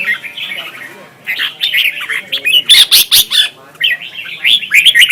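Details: Red-whiskered bulbul duel singing for training birds: warbled, slurred whistled phrases, then a series of loud sharp chirps repeated about every quarter second, then warbling resumes.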